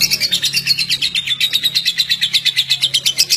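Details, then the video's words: Lovebird singing a rapid chatter, the sound said to make lovebirds go wild: sharp, evenly spaced high chirps, about seven per second, with a steady low hum underneath. "BURUNG LOVEBIRD ANDA JADI KONSLET GARA GARA SUARA INI"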